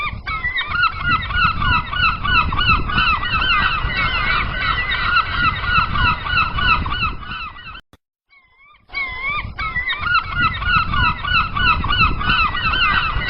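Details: Gulls calling far out at sea, a dense flock of overlapping yelping, harmonic calls that rise and fall without pause, broken by a second of silence midway, over a steady low rumble.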